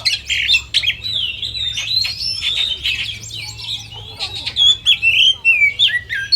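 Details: Simulated kacer competition with oriental magpie-robin song: rich run of clear whistled notes, slurred rising and falling phrases mixed with scratchy chatter, sustained for several seconds, steady low hum underneath.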